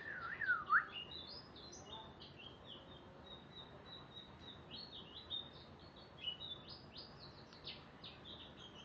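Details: Canary song of thin, high clipped notes strung together, opening with a few louder lower chirps, then continuing softly over faint background noise.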